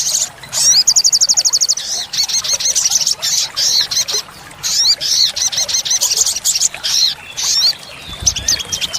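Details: Olive-backed sunbird, locally sogok ontong, singing vigorously as a tutor and lure for caged birds: an opening rapid staccato trill of high notes followed by a long chain of short, sharp, very high chattering phrases.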